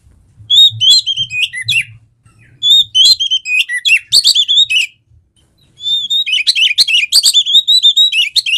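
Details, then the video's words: Oriental magpie-robin (kacer) singing, recording meant to trigger a reluctant bird into song: loud high whistled phrases mixed with rapid chattering notes in three bursts separated by short pauses, faint low rumble beneath. "PANCINGAN KACER GACOR MALES BUNYI"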